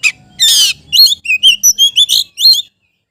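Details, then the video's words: Kacer, the magpie-robin, calling out a rival: a harsh rasping burst followed by about eight quick, evenly spaced whistled chirps, clear and loud. "KICAU KACER MEMANGGIL LAWAN"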